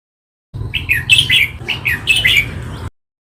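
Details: Song of a red-whiskered bulbul, used to stir up caged bulbuls: a pair of quick, cheerful warbled phrases of clear, bubbling whistled notes that rise and fall, separated by a brief pause.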